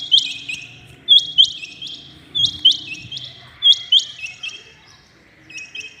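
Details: Rain quail calling early in the morning: sharp, high metallic notes, often in quick pairs, coming in bursts about once a second with short pauses, over a faint low background hum.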